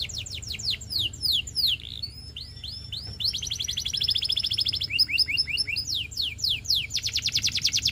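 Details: A canary, called a Russian canary here and identified as a Belgian canary, sings a fast, varied run of high trills, sweeping whistles and rapid buzzy rolls, changing phrase every second or so.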